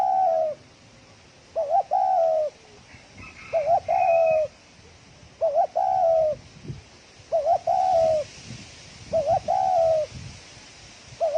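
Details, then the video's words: Rapid thổ còi-style cooing from a spotted dove: about six evenly spaced phrases, each a brief two-part warble and then a drawn-out coo sliding slightly down. Soft higher chirps are heard early on. "Tiếng chim cu gáy thổ còi tốc độ gáy cực nhanh"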